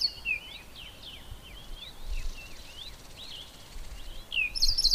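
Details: White-browed scrub robin singing from inside a bush: a fairly faint, rapid series of short downslurred whistled strokes repeated throughout, ending with a brighter burst of high notes. A steady low rumble sits underneath.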